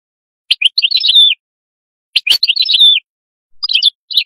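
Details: Canary singing two bright, rapid twittering phrases with trills and slurred notes, each about a second long, separated by short pauses, then a brief fragment at the end; no other sounds.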